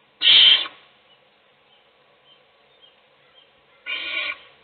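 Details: Owl chick receiving food from its mother while the other chicks sleep: two hoarse, hissing screeches about half a second long, more than three seconds apart, faint ticks between.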